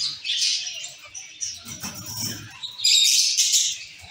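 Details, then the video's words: Colony of zebra finches in a cage giving overlapping high chirps, with a brief low rumbling noise in the middle before a loud final burst of bright calls. "Zebra finch sound & activities"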